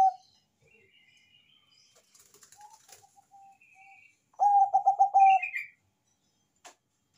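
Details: Bangkok-type zebra dove (perkutut) in loud song for luring others to coo: faint soft notes and chirps of other birds, then a bright burst of rapid, mellow repeated coos ending in a drawn-out note.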